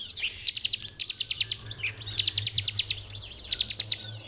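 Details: Bar-winged prinia singing vigorously in full, nonstop 'ngebren' style, used as a master recording to train other birds. Three bursts of rapid, sharp, high chips, about eight to ten notes each, come roughly every one and a half seconds over a faint low hum.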